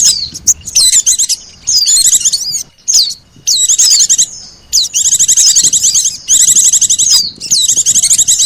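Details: Oriental white-eye and sogon lure sound used to attract birds: repeated bursts of shrill, fast chattering twitters and sharp downslurred whistles, nearly continuous over eight seconds.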